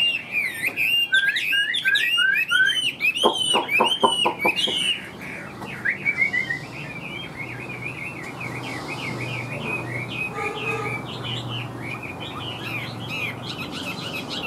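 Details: Caged Chinese hwamei, large-bodied with yellow legs and bill, singing while flicking its tail: loud, fast run of varied whistled slurs and trills, with a burst of sharp clicking notes midway and softer warbling after.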